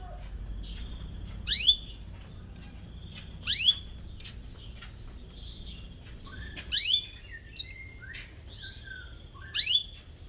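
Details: Atlantic canary calling "cuit cuit" to find a rival, recorded as a teaching lure for young canaries; four sharp, loud, downward-sweeping chirps spaced irregularly over ten seconds, with softer short notes between them.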